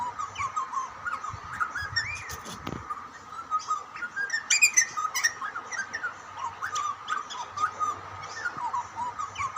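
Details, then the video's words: A young and an older Australian butcherbird exchange calls while feeding: a run of gentle, wavering whistled notes with upward and downward slides, quiet and conversational, with brief clicks, a soft low rumble and a faint background hum. "Two Birds chatting to each other during feeding ? Australian Butcherbird"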